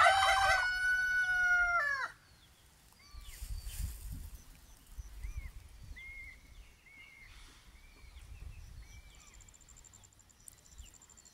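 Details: A rooster on an off-grid homestead with pastured poultry gives one loud, harmonic-rich crow lasting about two seconds, followed by quieter chirps and calls from other birds in the background.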